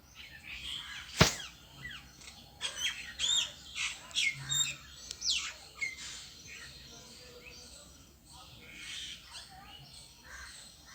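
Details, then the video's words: Bird alone in a tree utters scattered high chirps and squawks, clustered in the first half, after a loud sharp knock; faint sounds continue later under low background noise. "The bird sitting alone on the tree is making a sound"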